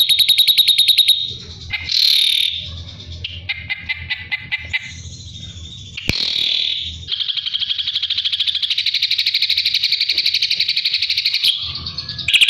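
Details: Drongo song used to train a white-rumped shama: varied phrases mixing fast buzzy trills, clipped rattling notes and short whistled bursts, ending in a long steady trill with a faint low hum underneath.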